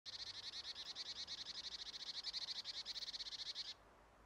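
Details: A marsh tit gives a high, dry rattle of rapid, even notes, about eleven per second, lasting nearly four seconds before stopping abruptly, on an evening around 17:30 on 28 October 2023.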